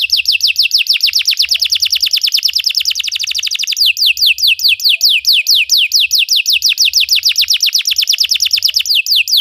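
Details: Belgian canary singing to train other canaries: a long, loud run of rapid descending notes, speeding up into a fast trill, then a slightly slower series of sharp falling sweeps.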